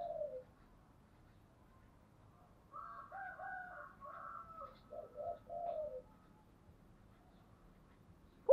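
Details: Spotted dove singing in the style called giọng thổ: after a short opening note, a run of low, hollow coos with faint overtones, each phrase about half a second, set in a quiet background.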